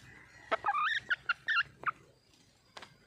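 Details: Red junglefowl calling for a mate: one short, broken crow of several harsh, rising and falling notes lasting about one and a half seconds, followed by quiet background.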